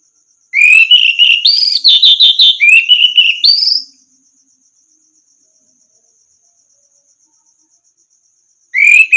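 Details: Orange-headed thrush song used to teach other birds to sing: a three-second burst of fast, varied warbling with rising whistles, trills and chattering notes, then over four seconds of silence before a new rising whistled phrase begins; faint high hum throughout.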